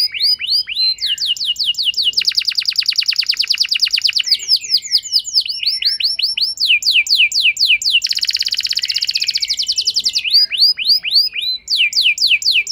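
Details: Canary lure song for coaxing a hesitant canary to sing at length: loud, continuous sequence of swift swept notes broken by two long buzzy trills, very dense and energetic.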